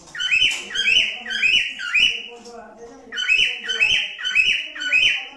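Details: Cockatiel singing a run of repeated whistled notes that climb and fall, grouped in fast bursts with a brief gap midway; a faint low background hum and possible voice underneath.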